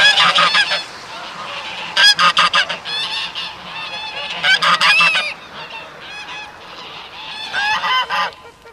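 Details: Geese on water let out groups of loud, brassy honks in short rapid series separated by quieter pauses, multiple birds answering one another across nearly nine seconds.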